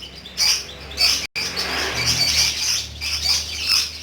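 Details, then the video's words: Lovebird singing in the lively ngekek style: dense, shrill chattering bursts high in pitch, run together with short breaks and one sudden dropout. "BURUNG LOVEBIRD TERAPI PANJANG UMUR ‼️GACHOR NGEKEK BIKIN ADEM"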